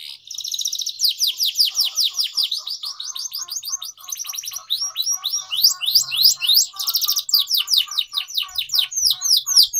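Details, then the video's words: Atlantic canary (kenari) in long, emotive 'gacor' song for training young canaries: continuous fast chirped phrases and rolling trills, loud and unbroken for the whole stretch. "Canary Singing Training || Kenari Gacor Panjang Cuit Cuit Emosi, Pancingan Kenari Paud Belajar Bunyi"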